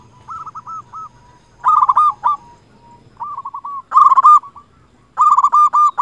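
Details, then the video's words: Local zebra dove singing to spur other doves into song: soft rolling coo phrases building into loud bursts of rapid, stuttering coos, several phrases in quick succession. "Perkutut lokal gacor suara cocok untuk pancingan semua jenis perkutut yang malas bunyi"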